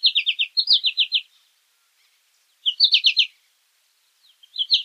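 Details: Three short bursts of fast, high, bright notes from an American goldfinch, each run about half a second to a second long with a pause of over a second between them.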